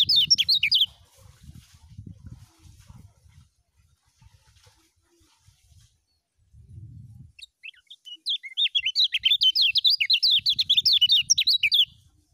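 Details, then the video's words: Kecial kuning, the lemon-bellied white-eye, singing in ngejos style: quick, high, chattering phrases at the opening, then a long, dense run of sharp rising and falling notes after a quiet middle stretch with low rumble. "SUARA BURUNG KECIAL KUNING FUL NGEJOS"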